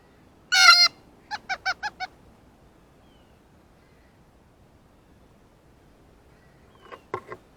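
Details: Blue jay meeting a ripe banana, among a variety of excited calls, gives one loud harsh rasp followed by a rapid run of five short, evenly spaced nasal notes, then a faint pair of clipped notes later.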